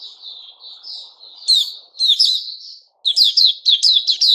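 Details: White-crowned shama kept in a cage while moulting, dated 06-09-2021, starts with soft drawn-out whistles, swells into louder slurred notes, pauses briefly, then fires off a rapid series of sharp chirps.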